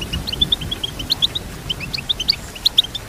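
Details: Goldfinch song used to teach singing: a string of bright, clipped high chirps, evenly spaced and slightly varying in pitch.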